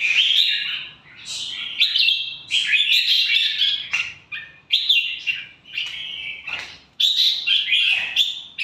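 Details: ['Red-whiskered bulbul, a caged pet of an Indonesian fierce-tempered line, singing a run of bright warbled phrases, each about a second long, rising and falling, with short pauses between bursts; no other sounds stand out.']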